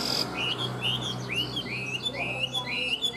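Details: Tame Chinese hwamei kept in a cage, said to sing well: a series of bright, rising whistled notes with short pauses between them, over a low hum.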